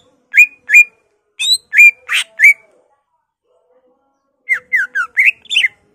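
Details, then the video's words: Lively greater green leafbird song that borrows from other species, including magpie-robin and laughingthrush: short sharp whistled slurs in a cluster with one harsh buzzy note, silence, then five fast downslurred and upswept whistles. "BURUNG CUCAK IJO GACOR EMOSI NGENTROK BONGKAR ISIAN"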